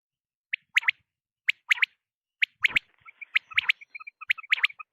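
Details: Quail, local name batair, calling at night: sharp high chirping notes in short bursts of two or three, repeated about once a second, with softer clipped chirps filling the later part.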